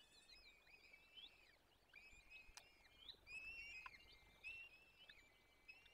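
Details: Feeding time for peregrine falcon chicks at a forest nest, Barycz Valley, Poland, 17 April 2024: a steady stream of thin, wavering high squeals, partly overlapping, over a soft hiss and one sharp click.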